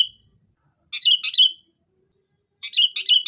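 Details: Kutilang, or sooty-headed bulbul, singing in combative mode, a recording played to prompt caged birds to sing. Clear whistled note, then short bubbly chirp clusters separated by silent gaps.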